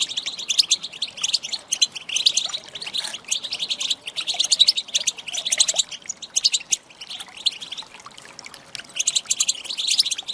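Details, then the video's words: Rapid tinkling chatter from a female European goldfinch, a call used to stir males to song; bright chirp runs come in repeated bursts every second or two across the whole stretch. "Saka Huylandırma Sesi"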